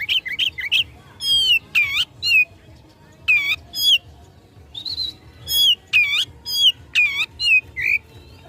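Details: Oriental magpie-robin fighting song meant to provoke opponents: spaced loud downslurred whistles repeated roughly every half second to second, with brief quick notes at the start.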